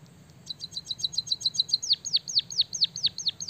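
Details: A white-headed munia in full song, borrowing canary song: a quick series of thin, high chirps gives way to loud, repeated whistles that drop steeply in pitch, delivered at a brisk, even pace.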